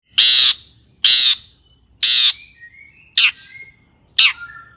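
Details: Long-tailed shrike in full song, used as a lure to make other shrikes sing: five loud, harsh rasping bursts about one second apart, with short thin whistles between the later bursts.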